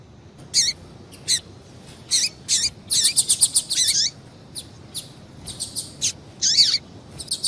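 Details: Female double-collared seedeater giving calls meant to excite a male into singing: short high chirps with notes sweeping down, in irregular bursts and quick runs of several notes.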